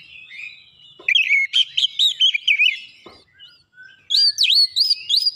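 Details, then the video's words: Oriental magpie-robin song in the 'nembak rapat' manner for a training recording: a rapid string of wavering whistled notes, a short gap with a single click, then a quick series of sharp, rising-falling swoops. "terapi masteran Kacer nembak rapat"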